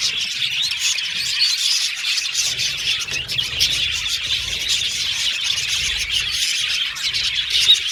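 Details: Caged parakeet colony of budgies chirping and singing: an even, high chattering chorus of overlapping warbles, with a sharp squeak standing out near the end.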